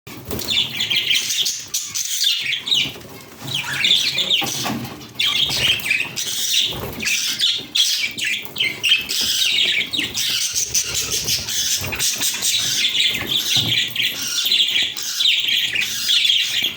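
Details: Budgerigars in the morning chatter in a dense, continuous stream of high warbles, chirps and squeaks.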